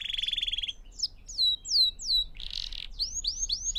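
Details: Canary song for training young canaries to sing: a rapid rattling trill opens, followed by clear descending slurred whistles, a brief harsh burst, and rising curved notes at the end.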